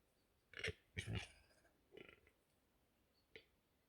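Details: Agitated male capercaillie in western Estonia, spring 2021, utters a run of throaty, belching croaks with strong harmonics, three close rasps followed by a short pause and a single softer croak.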